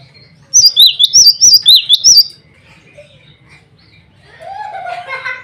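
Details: Cinereous tit male calling rivals and a female: one long rapid series of about seven high, ringing down-slurred whistles, followed by a softer, lower rasping chatter.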